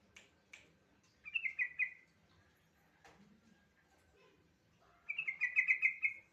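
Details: Yellow-vented bulbul song, used as a prompt for an untrained bulbul to sing: two short bubbling, warbled phrases around mid-high pitch, separated by a pause, with faint clicks and soft knocks between.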